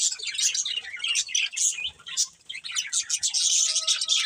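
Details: Breeding pair of budgies chirping: quick, high warbling chatter with short raspy bursts, a brief lull midway, then a dense trilling run.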